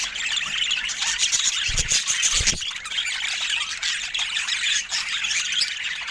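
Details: Pet budgerigars chattering: a dense, continuous wash of high squeaks, chirps and warbles with no pauses, broken only by a few dull low thumps around the second mark.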